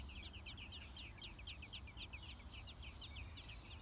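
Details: Six-day-old American robin chicks in the nest, being fed by their parents, give a dense chorus of high, thin, rapid cheeping, many overlapping notes each second, over a steady low rumble.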